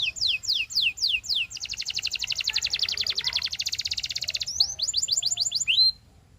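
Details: Canary song that opens with five slow, slurred descending whistles, then a long, fast, pulsing trill, then quick downslurred notes and a final rising upsweep.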